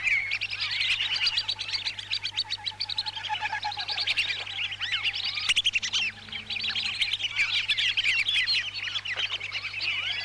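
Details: Lesser whistling ducks, Lampung, Indonesia, in a recording used for luring: a continuous flock of sharp, high whistled chirps and short rising squeaks, crowded and overlapping, with a faint steady hum in the background.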